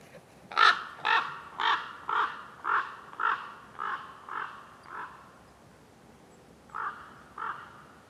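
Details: Wild common raven calling in acacia woodland: a series of about nine harsh, raspy caws repeated roughly twice a second and gradually fading, a short pause, then two more caws.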